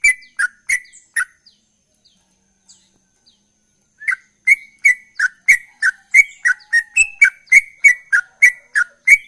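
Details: Gacor trucukan ropel, the sooty-headed bulbul, singing a few sharp phrases, pausing nearly three seconds, then pouring out a fast steady run of loud clipped whistled notes, about three per second, some rising, some dropping.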